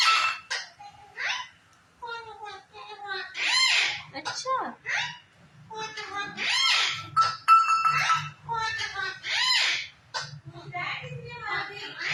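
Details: A talking Indian green ringneck (rose-ringed parakeet) chatters in shrill, speech-like bursts, with rising and falling squawky phrases and mimicked word sounds in quick succession.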